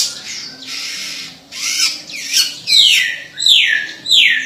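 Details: White-rumped shama (murai batu) singing in gacor style, meaning in full, vigorous song: a varied run of loud, clear whistles, several sharply down-slurred high notes in quick succession, with a faint low hum beneath.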